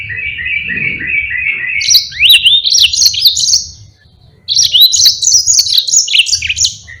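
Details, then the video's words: Yellow-fronted canary, a tutor bird for other species, singing: opens with a steady lower buzzy trill, then bursts into high varied whistles and twittering slurs, a short pause, and more rapid high phrases. "Burung Mozambique GACOR NGEROL PANJANG"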